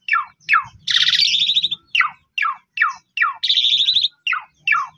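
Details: Asian pied starling lure song: sharp descending whistled sweeps about every half second, broken by two long harsh buzzy rattles, with a low hum in the background.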